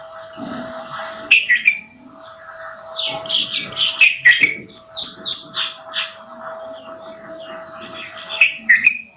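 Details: Bulbul singing bright, chattering whistled phrases in quick uneven bursts, notes sliding up and down, over a steady faint electrical hum.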